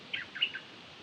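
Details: Decoy Dok Taeng bird giving a quick burst of three or four high, slurred chirps within half a second, over a quiet, slightly hissy background.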